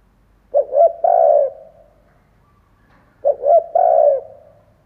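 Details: Spotted dove decoy bird cooing to stir other doves: two matching phrases of quick stuttered notes followed by a long soft coo, about three seconds apart.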